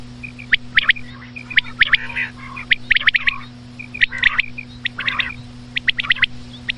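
Common quail giving sharp, liquid chirps in quick clusters of two or three notes, repeated irregularly, with rougher chattering notes between and a steady electrical hum underneath.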